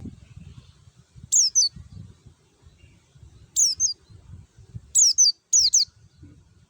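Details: White-eye lure song for birds in training or kept in groups, described as clear: high thin notes sweeping down from about 8k, given in short bursts of two to three notes spaced over several seconds, faint low rumble beneath.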